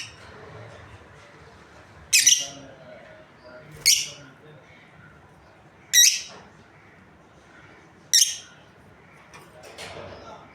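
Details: A breeding pair of lovebirds gives shrill, sharp chirps, four short piercing bursts spaced about two seconds apart over a quiet background with faint low rumble.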